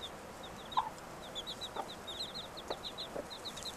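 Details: Five young chicks following their mother hen outside to search for food; steady stream of faint high peeping notes with one or two soft low clucks over background hiss.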